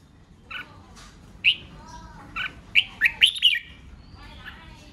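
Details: Red-whiskered bulbul giving a provoking duel song aimed at wild-caught birds. Softer opening notes lead into a lively run of five quick, bright, warbled whistles near the middle, then fade.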